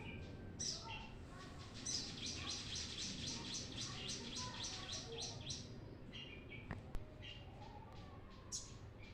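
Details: Brown-throated sunbird song, offered as a lure for training birds: rapid series of high, thin chirps repeated about three times a second, with scattered lower twitters and a low background hum.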